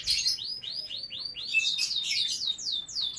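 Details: Song of a captive canary kept for breeding alongside young birds: a steady series of high, down-slurred whistled notes repeated several times per second, shifting into rapid chattering trills.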